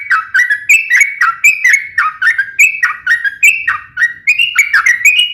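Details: Sooty-headed bulbul giving a sharp, rapid fighting song meant to provoke other bulbuls into answering: a nonstop string of short, liquid, whistled phrases that dip and rise, roughly two to three per second, with no other sounds.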